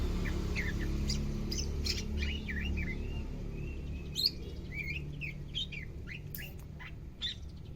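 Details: Caged greater green leafbird on its second day of care, starting to become active and vocal; varied whistled and chirped notes with rising and falling slurs, scattered sharp high chips, over a steady low hum.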